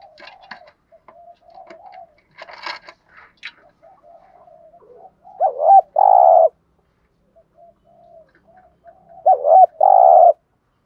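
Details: Spotted dove lure coos in 'gù thúc' style for training birds: soft murmurs and faint chatter, then two loud phrases, each a quick hooked note followed by a full, hollow, sustained coo, about four seconds apart.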